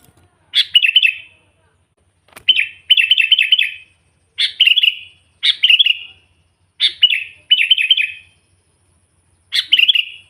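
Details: Natural sooty-headed bulbul calling and provoking wild bulbuls: seven short, bright phrases of rapid stuttering chirps, each lasting under a second, repeated at irregular intervals of one to two seconds.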